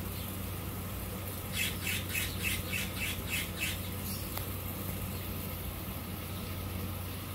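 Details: A blue jay in a backyard gives a quick run of about seven harsh, raspy squawks, roughly three per second, over a steady low background rumble.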